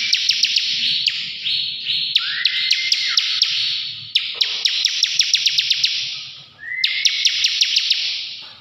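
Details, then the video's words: Bar-winged prinia (ciblek) in 'ngebren' style, shared for training songbirds: a dense, rapid buzzing trill broken by sharp ticks about four per second, with two long rising whistled slides and brief gaps between bursts. "CIBLEK NGEBREN GACOR"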